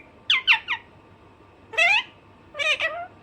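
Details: Alexandrine parakeet, a naughty pet, giving three quick falling squawks in a row, then two longer harsh screeches after short pauses, over a low hum.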